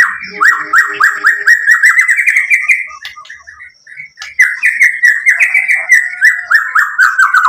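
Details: White-rumped shama song used to make other shamas answer: long fast series of repeated rich whistled notes, several per second, pausing once and then resuming at the same pace.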